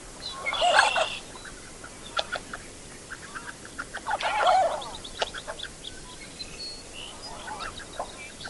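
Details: A Canvasback duck gives two harsh, rasping croaks about four seconds apart, with scattered faint clicks and low background noise between them.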